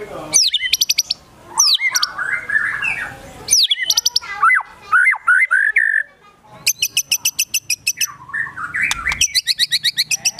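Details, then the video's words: White-rumped shama song, agitated murai batu style with mimicry: sweeping whistles and chatter, then a long rapid series of sharp high chips, then more whistles. "Murai Batu Gacor Emosi Isian Besetan Tembakan Sogon, Kunti Dll."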